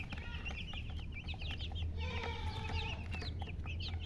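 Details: Hen and coloured chickens (murgi) chirping: many short, high, rising peeps overlap continuously, joined midway by a longer, lower, drawn-out harmonic call, all above steady low-pitched background rumble.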